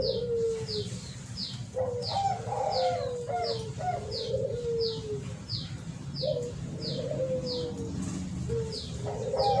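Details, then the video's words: Lure recording of a spotted dove: soft, rolling coo phrases repeated over a noisy background, accompanied by a regular series of high, thin descending chirps from another bird. "Pancingan Suara Burung TERKUKUR Ampuh"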